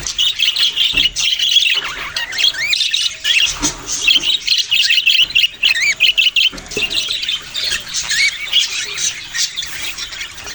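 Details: Budgerigars chirp and warble, repeating quick rising and falling whistled notes among scratchy chatter, in lively bursts separated by short lulls.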